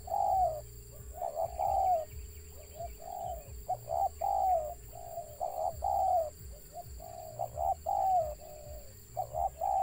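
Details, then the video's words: Wild spotted dove cooing with a stutter: a long run of stop-start mellow notes, short and long coos jumbled in irregular clusters across ten seconds, over a low background hum. "BURUNG TEKUKUR LIAR ADA GAGAP NYA"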